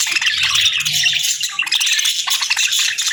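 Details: Several parakeets at a winter morning feed keep up continuous rattling, scratchy chatter, dense overlapping chirps with no pause.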